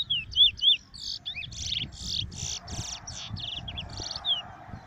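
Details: A small, shy chestnut-bellied seed finch (Trini bullfinch), on the grounds for the first time, on a 2 June morning, sings a fast, varied run of high whistled slurs and buzzy chips, about four notes a second, over a low rumble.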